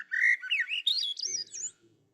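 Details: A Swainson's Thrush, a spring bird of Maine that sings loudly from deep wooded territories, gives one flute-like phrase of quick notes spiralling steadily upward in pitch, ending after under two seconds, with a faint low murmur trailing.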